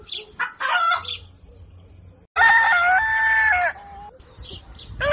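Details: Rooster crowing at sunrise: brief broken crow notes, then a loud sustained crow with a raised middle section and falling finish, followed by scattered fainter calls.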